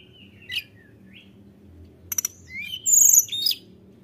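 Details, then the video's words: Tledekan gunung singing to rile rivals: a couple of thin whistles, a short rattling burst, then a loud run of high chirped notes, with a low hum throughout. "tledekan gunung gacor Memancing emosi lawan"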